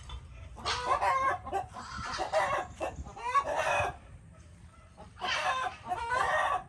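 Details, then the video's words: Chickens heard somewhat distantly, rough clucking and squawking bursts in groups with quieter stretches between, over a low rumbling background. "Chickens making noises"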